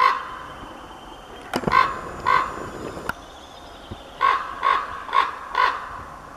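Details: Male common raven giving harsh, hoarse croaks: a pair, then four in quick succession about half a second apart, with a couple of sharp clicks between; a female calls in the background.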